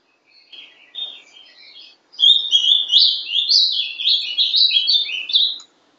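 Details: A young captive ultramarine grosbeak (Cyanoloxia brissonii), hatched 11 December 2012, sings a Paraná-style song: a rich, warbled phrase of quick rising and falling notes, preceded by a softer, quieter opening passage.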